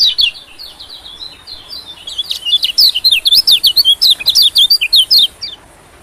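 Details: White-eye lure sound for attracting small birds, especially white-eyes: continuous, fast, high chirping chatter lasting over five seconds, with evenly spaced sharp notes in the later part.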